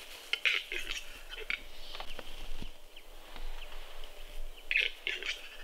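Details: Capercaillies scuffle at a spring lek in the snow of Kuusamo, Finland, 2021: hard knocks and harsh scratchy bursts at start and end, with scattered clicks and low thumps between.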